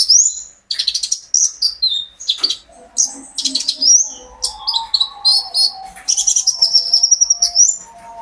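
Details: Lively, continuous singing by a captive olive-backed sunbird used as a prompt for other birds: rapid high chirps, buzzy bursts and thin sustained whistles, nearly without pause over eight seconds.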